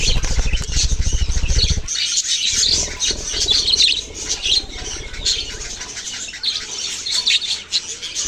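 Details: Chirping from baby budgerigars, opening with about two seconds of low pulsing flutter, then a steady wash of overlapping high tweets and squeaky notes.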